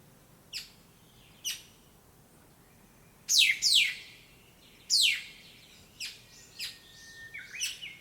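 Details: Early-morning birds in a big black locust tree beside a town house give sharp, sudden downward chirps at uneven gaps. A few loud bursts are followed by a thin steady whistle near the end.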